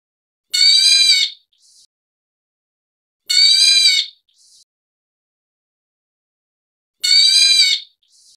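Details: A black bulbul of the white-headed form of Taiwan's endemic subspecies (Hypsipetes leucocephalus nigerrimus) gives three harsh, nasal, cat-like mewing calls, each under a second long and spaced about three seconds apart, with no other sounds.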